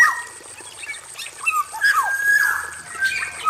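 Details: Male black-naped oriole in an aviary utters soft liquid whistles and a drawn-out level note with downward slurs, fairly quiet, over a steady high hiss.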